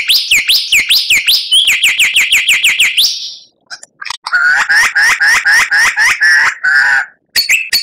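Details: White-rumped shama full song from a tutor recording: a rapid series of bright, ringing upslurred notes, a short break, then a lower scratchy, rattling chatter and a few high chips.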